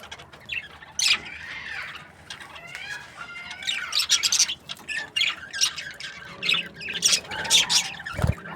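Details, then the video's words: Several budgerigars in breeding pairs keep up a continuous warbling chatter of sliding whistles and harsh chirps, ending with a thump. "Budgies parrot chirping sounds | breeding pairs"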